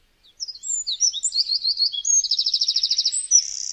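A Eurasian wren's loud, high, rapid song: tumbling sharp notes that break into a fast, even rattling trill near the end.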